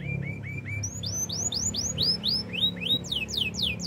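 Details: Canary singing a training melody: short whistled notes repeated about four times a second, climbing into higher upward-sweeping slurs and then quick descending swoops, each phrase evenly spaced.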